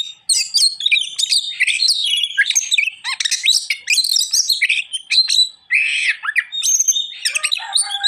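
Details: Oriental magpie-robin delivering a gacor song, a long, energetic run of varied whistles, harsh squawking notes, buzzy chatters and bright chirps, changing phrase every moment with only brief gaps.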